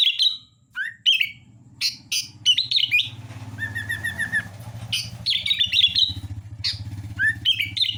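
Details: Sooty-headed bulbul singing vigorously: bright chirpy phrases around a steady whistled note, with a rising slur near one second and a gap mid-clip. A low buzzy hum runs underneath throughout.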